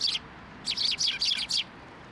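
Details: Sparrows coming to a post for food at a shrine on 10 October 2023: a short chirp, then a pause and a rapid series of four or five sharp, high chirps in quick succession.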